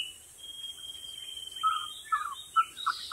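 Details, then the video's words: Wild White-rumped shama singing energetically: a long, thin, steady high whistle held for over a second, then a series of short, sweet, lower whistled notes spaced about half a second apart. "Burung Murai batu gacor di alam liar"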